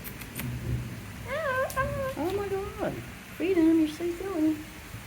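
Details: Pet parrot in Florida, asked to say hi, answers with a few wavering voice-like phrases that slide up and down, mixed with a woman's laughing speech close by.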